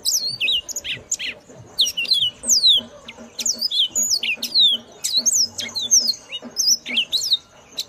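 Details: Yellow-fronted canary, called burung mozambik, singing a loud, ringing song: fast runs of sharp, high descending and rising whistled notes and chirps, delivered in quick bursts with brief pauses throughout.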